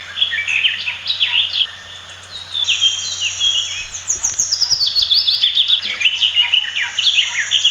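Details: Pied fantail, locally called maria capra, at its nest in a backyard in Prenza, Marilao, Bulacan, Philippines; a territorial garden bird. Busy, high chirps and rising and falling twittering notes overlap almost without pause, with a steady low hum underneath.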